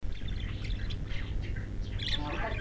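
Budgerigars chatter in quick, scratchy chirps and warbles over a steady low rumble.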